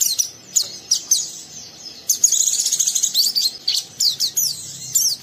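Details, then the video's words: Captive young oriental white-eye pouring out coarse ngeriwik song to stimulate a second bird; quick high chirps give way to a continuous, buzzy, fast twittering run. "Burung Pleci Muda Gacor merangsang Pleci Bahan ikut Ngeriwik Sampai Buka paruh"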